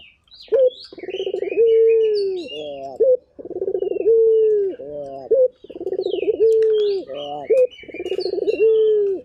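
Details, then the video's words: Lively local turtle dove giving repeated coo phrases about every two to three seconds, each a stuttering low roll swelling into a long steady coo and a brief upturned note; small birds chirp faintly higher above. "Burung Puter Gacor"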